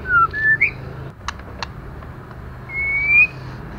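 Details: A female white-rumped shama rouses male birds with a few short falling and rising whistles. After a pause with soft knocks, one longer upward-gliding whistle follows.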